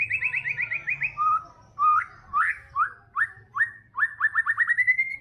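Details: White-rumped shama in full song: a rapid trill of sharp notes, then separate slurred whistles dropping and rising, ending in a quick run of rising chirps, loud and clear over a faint low hum.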